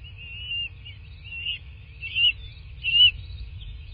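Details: Bald eagle nest in a southwest Florida landscape, nest camera, morning of 15 March 2024; four high whistled notes, drawn-out at first and growing louder and sharper toward the end, with a low rumbling hum underneath.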